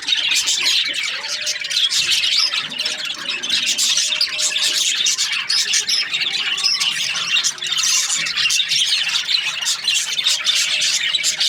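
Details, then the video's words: Happy budgerigars chirping during breeding season, many birds at once in a thick wall of rapid, shrill twittering and squawky notes that never stops, with a faint low hum in the background. "Happy budgies chirping sounds | breeding season"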